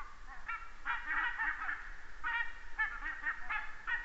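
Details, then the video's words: Geese passing overhead in Estonia, 29 September 2015, caught by a red deer camera: bursts of nasal honks in quick clusters, separated by brief pauses, against quiet surroundings. "many Geese fly over"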